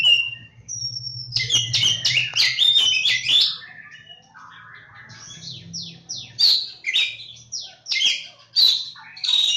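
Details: Oriental magpie-robin (kacer jawa) delivering a rich song: a whistled note, then a dense burst of chattering trills, followed by a series of down-slurred whistles and buzzy notes; a low hum is audible in places.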